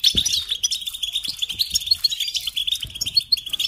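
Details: European goldfinch song kept and cared for as a songbird: a rapid, continuous twittering of tinkling high notes with short buzzy trills, steady chatter with no breaks and faint low thumps underneath.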